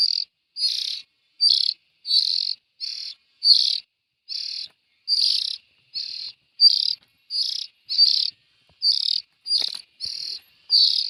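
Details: Steady series of short hissing rasps from young bulbuls, about sixteen evenly spaced bursts in a quiet setting.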